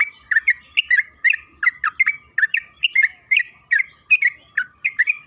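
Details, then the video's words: Trucukan kebo, the yellow-vented bulbul, singing 'gacor ropel panjang' to coax birds into song: an unbroken run of quick, warbled two-part chirps, about two each second. "Pancingan trucukan agar bunyi‼️Suara burung TRUCUKAN KEBO Gacor ropel Panjang"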